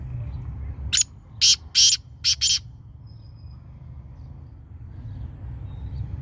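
A black francolin gives one loud, harsh, grating phrase of five rasping notes in under two seconds, over a low steady rumble.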